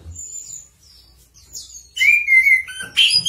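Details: Song of a Chestnut-capped thrush, shared for tutoring cage birds. Soft, high, thin whistles build into loud, rich, whistled phrases at a lower pitch, with sharp varied notes near the end.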